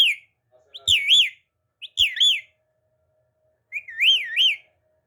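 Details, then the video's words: Talking parrot kept as a pet, whistling wavy up-and-down phrases in three bursts about a second and a half apart, each with short lead-in notes, with faint low clicks and otherwise silence. "Talking Parrot Mitto Mitto Mian Mitto"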